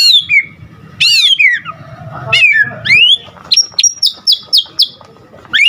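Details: Full, energetic white-rumped shama song: sweeping high whistles and slurred notes, then a series of crisp high repeated notes delivered in quick, even rhythm, over a faint low hum.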